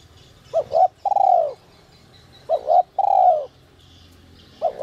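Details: Spotted dove in the whistle-voice style meant to excite wild doves: paired short coos followed by a sustained descending note, twice, then a third phrase beginning, over quiet background with distant chirping.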